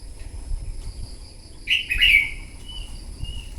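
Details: Morning competitive song of a newly wild-caught red-whiskered bulbul: after a quiet start, a loud warbled phrase of quick slurred whistles trailing into soft fading notes, with low rumbling noise throughout.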